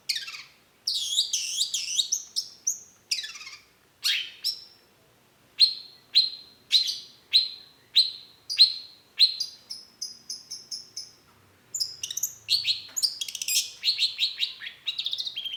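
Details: Long-tailed shrike singing vigorously, used as a lure to prompt other shrikes to answer: sharp high chirps and downward-sweeping whistles, a run of evenly spaced falling notes mid-way, then fast twittering phrases; no other sounds.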